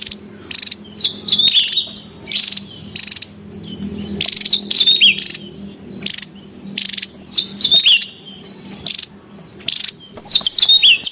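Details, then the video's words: Noisy wild Javan tesia, a lure and training recording: high buzzy bursts alternating with thin, downward-slurred whistles, repeated through a long stretch with brief silences between phrases. "SUARA PIKAT DAN MASTERAN TESIA JAWA RIBUT DI ALAM LIAR|| suara asli dan tembakan gacor"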